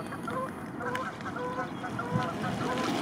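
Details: Arctic geese with chicks among white flowers; a run of short, nasal honks repeated almost twice a second, partly blurred by broad rumbling noise.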